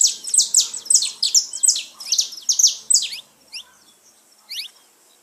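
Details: Saffron finch song meant to stimulate pet birds, a rapid run of loud high chips for about three seconds, then a few softer scattered notes.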